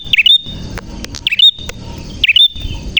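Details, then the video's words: Clear, lively prinia song meant to prompt young forest-caught birds to sing: three quick clusters of squeaky swept chirps in three seconds, with clicks and a constant high tone behind. "Burung Prenjak Gacor Suara JERNIH"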